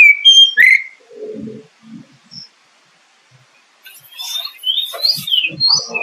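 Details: Oriental magpie-robin lure song: opening whistled notes, a quiet stretch with low rustling, then a dense run of varied whistles and harsh chatter with low thumps mixed in.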